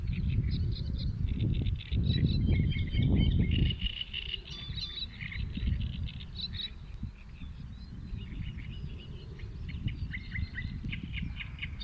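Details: Several birds singing and calling outdoors on 23 May 2022, a mix of short chirps and whistled phrases from different voices, heavy low rumbling noise loud through the first four seconds, then quieter background hum.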